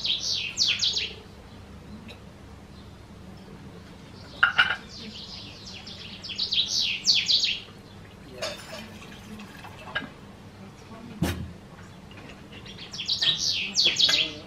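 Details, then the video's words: Emberiza sahari sahari, the house bunting, recorded 22 June 2024 in a riad in Marrakech, Morocco. Three brief chirpy jingles of falling notes come several seconds apart, with a few faint clicks and knocks between phrases. "House Bunting"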